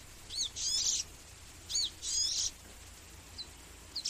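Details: Magnificent sunbird giving high thin chirps: paired downward-arched notes near the top of the range alternating with bright buzzy bursts, repeated about every second and a half.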